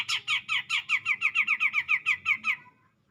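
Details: Grey-cheeked bulbul singing to provoke a rival: about thirteen harsh, evenly spaced notes in quick succession, each one dropping slightly, stopping abruptly after two and a half seconds. Faint low background noise.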